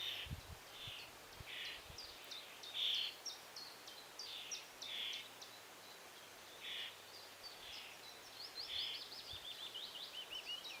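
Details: Young common starling waiting for food at a nest-box hole, fed by its parents, Estonia, filmed on a Canon EOS R3: harsh buzzy begging bursts repeated roughly every second, with thin higher chirps and faint low rustling.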